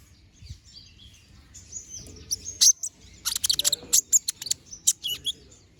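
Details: Olive-backed sunbird, a young bald bird regrowing its feathers and singing vigorously, kept as a training bird: faint twittering, then bursts of very high sharp chirps and trills in the second half, with low background rumble.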